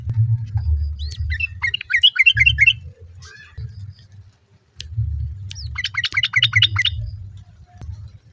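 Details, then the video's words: A female sooty-headed bulbul calling for the male, other birds joining in: two separate runs of rapid, scratchy chattering notes, each under a second long, against low rumbling background noise. "SUARA TRUCUK BETINA MEMANGGIL JANTAN, BURUNG LAIN JUGA IKUT NYAUT"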